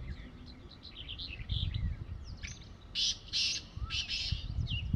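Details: On an evening, a wild black francolin calls from atop mud, giving three loud scratchy notes spaced about half a second apart. Scattered soft chirps of other birds come before them, and wind rumbles low underneath.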